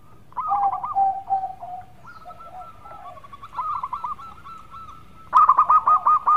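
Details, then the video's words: Local zebra dove, a lively singer with a melodious voice, in a lure recording: mellow cooing phrases with a low drawn-out note, then a loud burst of rapid stuttering coos near the end. "Pancingan Perkutut Lokal Gacor Suara Merdu"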